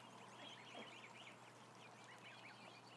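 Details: Faint but steady peeping from around one thousand ducklings, thin rising and falling cheeps overlapping closely, with a low mechanical hum underneath.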